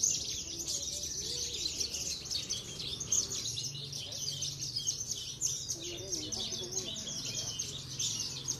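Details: Branjangan, or Javan bush lark, a contest songbird kept in Cilacap, delivering a steady torrent of shrill twittering notes throughout, while faint lower voices and background noise sit beneath.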